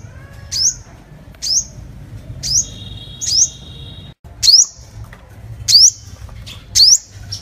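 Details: Five-coloured sunbird lure call: high, quick rising chips spaced about a second apart. A steady thin whistle-like tone sounds briefly in between, with a short dropout midway and low background rumble.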